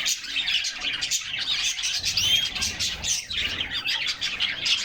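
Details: Canaries hopping around their cage and singing in summer sunshine, picked up by a fixed camera inside it; bright, rolling chorus of quick high chirps and trills, with a sweeping whistled note near the middle.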